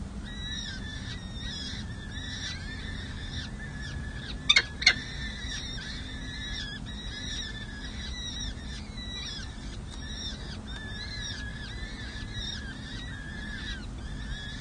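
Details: Peregrine falcon nestlings at San Jose City Hall, four chicks six and seven days old, fed by a parent on 7 May 2024. A steady stream of thin, high squeaky calls, about three per second, with two sharp taps and constant low hum.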